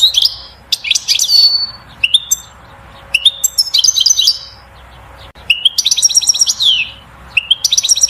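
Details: Goldfinch 'batbata' song, sung to excite the female to mate and build a nest: rapid tumbling series of buzzy chirps, metallic clicks and rattling trills, almost continuous with brief breaks.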